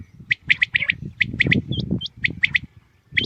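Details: Common quail in the morning, calling in quick three-note bursts, with a few thinner, higher chirps slipped between the phrases and low rumbling noise beneath.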